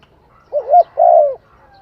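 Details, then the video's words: A spotted dove gives one deep two-part coo, a quick warbling note followed by a sustained soft coo that drops at the end, over a faint background hum. "Tiếng chim cu gáy hay"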